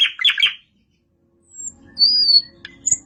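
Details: Nightingale song phrases: a burst of scratchy rattling notes, a pause of about one second, then a thin high whistle and a drawn-out sliding whistled note.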